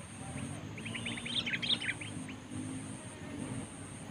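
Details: Sooty-headed bulbul in a luring contest against a rival bird: a short burst of quick, bright chirps and slurred notes between 0.7 and 2 seconds, over a steady low hum and a constant high electronic tone.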